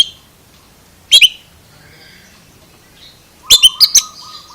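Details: Oriental magpie-robin producing unusual calls: a harsh paired chip, quiet buzzy notes, then a rapid run of four cracking chips over a steady low whistled tone.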